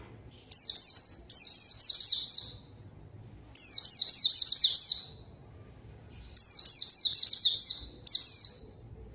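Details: White-eye lure song meant to call a rival and make quiet birds sing: three high, fast twittering bursts of descending slurred notes, each lasting one to two seconds, separated by short pauses in a clean recording.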